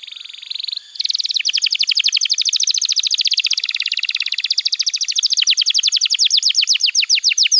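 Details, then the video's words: Singing canary, a recording meant to tutor young canaries and coax silent birds into song: a brief buzzy opening, then a long fast trill of sharp repeated notes running steadily for about seven seconds. "Pancingan Suara Kenari Gacor‼️ Ampuh untuk Masteran Kenari Muda dan Terapi Kenari Macet Bunyi"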